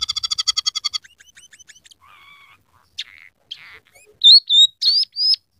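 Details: Emprit peking, the scaly-breasted munia, in lively song mixed with borrowed canary, sparrow and red siskin phrases. It opens with a rapid rattling trill, then soft chips, a low buzzy bar and loud rising whistles near the end.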